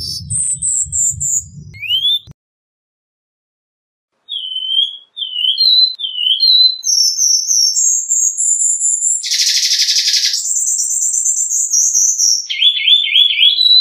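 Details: Cuban bullfinch song and variations: high whistled notes, a low rumble, a pause, then short slurred whistles rising in pitch, a harsh buzzy burst, a long high whistle and a closing series of rapid looped trill notes.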